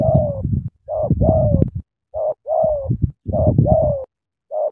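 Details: Spotted dove from Cà Mau, Vietnam, cooing energetically: loud, mellow, hollow coos in short bursts of two or three notes with brief pauses, each note slightly falling, with a rough low rumble under the phrases.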